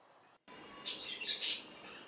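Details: A red-whiskered or red-vented bulbul gives two quick, bright chirpy notes about half a second apart, over a soft background hiss.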